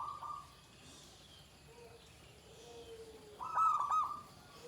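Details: Shrill 'ke tek kuk' klare song of a zebra dove: an even coo opening, a faint lower drawn-out tone in the middle, then a strong burst of quick, broken coo notes.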